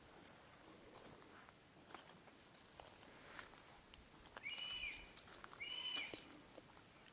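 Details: Black-collared hawk (Busarellus nigricollis) gives two drawn-out, thin, slightly hoarse calls about a second apart, each holding a high pitch, set against a hissy background with scattered clicks and rustles.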